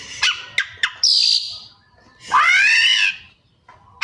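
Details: Kacer, the Oriental magpie-robin, giving 'isian' mimicry: three short sharp clicks, a high hissing buzz, then a long loud rising-falling harmonic squeal before a brief pause.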